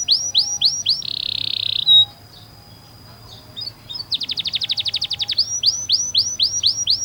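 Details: Canary masteran for young birds: slurred high whistles, then a steady hissing buzz and a quiet gap, a rapid trill, and more down-slurred whistles.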